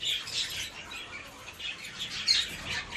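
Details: Captive-bred Rose-ringed Parakeet chicks, still featherless, one of three hatchlings in a brood whose first hatched on the 28th, Limeira, São Paulo, Brazil; raspy, hissing squawks repeated in short bursts.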